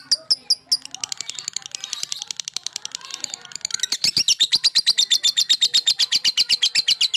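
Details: Male lovebird singing to provoke rivals: a few sharp high chirps, then a long run of rapid, high, buzzy chattering pulses, about four a second, growing louder and steadier toward the end.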